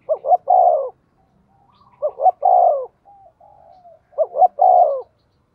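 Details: Decoy spotted dove urged to call quickly. Three phrases about two seconds apart, each two short clipped coos then a drawn-out, falling, husky coo, with a soft low murmur between the second and third.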